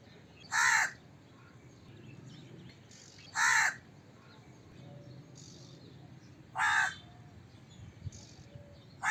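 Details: Crow giving harsh, broadband caws, single calls spaced about three seconds apart, with faint background hum.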